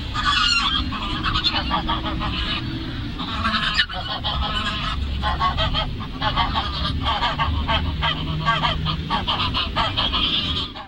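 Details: Geese at Lagoa Maior, Três Lagoas, giving a dense, continuous chorus of harsh, nasal honks from several birds that overlap throughout, with a steady low rumble of background noise underneath.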